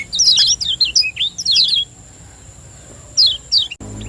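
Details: Lemon-bellied white-eye, Lombok champion, giving 'ciak joss' lure song: vigorous high, twisting twitters in two close bursts lasting nearly two seconds, silence, then a brief pair of sharp chirps and a click near the end.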